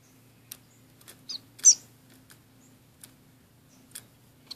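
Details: Orange-cheeked waxbills, a pair kept in a small cage alongside a society finch: a few short, high, squeaky calls near the middle, with a louder doubled note, set among light ticks and clicks of movement.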